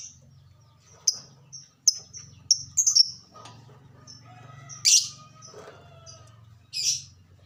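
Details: Lovebird lure sound aimed at stimulating caged birds to sing: a series of thin high clipped notes with occasional louder screechy chirps and two harsh bursts later, over a steady low hum.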